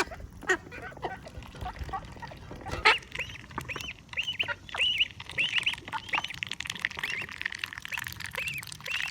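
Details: Female call duck kept at a high school in Saitama, Japan, giving a run of loud, nasal, honking quacks, each a short arched note with rich overtones, repeated rapidly and overlapping, over steady background noise.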